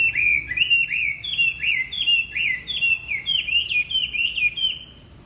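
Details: Singing wambi, recorded as a lure for training other wambi birds: a steady chain of short bright whistled phrases, each with a quick up-and-down slur, repeated rapidly and edging slightly higher in pitch.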